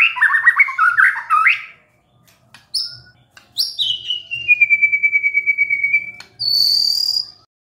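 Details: Stressed white-rumped shama prompted by a lure recording: a burst of rapid warbled notes, scattered sharp whistles, a long steady pure whistle with rapid ticking over it, then a high buzzy note.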